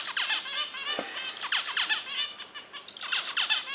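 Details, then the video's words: Several finches, always active in the nest, give a busy chatter of high, thin squeaks and rapid twittering notes, overlapping and almost continuous. "Beautiful Finch 🐦 amazing sound"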